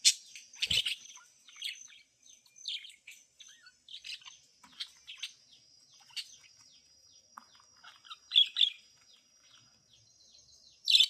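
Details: Soothing budgie chirping, quick high chirps and scratchy warbling notes scattered throughout, with louder bursts near the start, around 8.5 seconds and at the very end, over a constant thin high tone.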